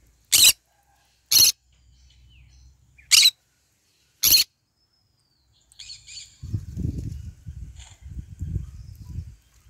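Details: Four sharp, rasping screeches from a green-cheeked conure eating and basking in the morning sun, then a stretch of low crunching and rustling from feeding with soft chatter.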